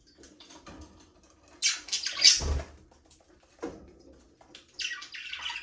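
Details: Budgerigars in a small aviary, kept as pets and flying free, give scratchy high chirps in short bursts with quiet gaps between them, with faint low rumbling behind.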